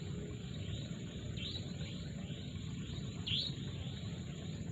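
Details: Sunrise chorus of birds in a mangrove forest, with a few bright looping chirps, the loudest near the end, over faint overlapping twitters and a dominant low steady rumble.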